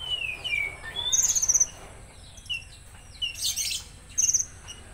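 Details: Konin with 'tembakan kasar' rough burst song: a descending whistle opens, followed by a high rattle, then a noisy hiss-like burst and one more rattle near the end.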